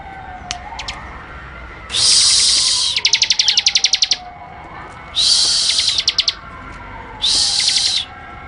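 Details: Bar-winged prinia in active song, kept as a training recording: three loud, harsh buzzy bursts, one followed by a quick series of sharp ticking notes, with a low swooping engine-like tone underneath.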